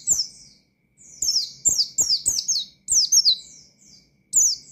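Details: Oriental white-eye in challenging wild-style song meant to excite untrained birds: loud clusters of high, slurred downward chirps with short breaks, fairly clean background.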